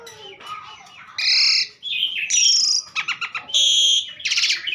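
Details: Asian pied starling singing vigorously, a varied run of harsh, noisy bursts broken by clear whistled notes and rapid stuttering rattles, each phrase short and abrupt with brief gaps between.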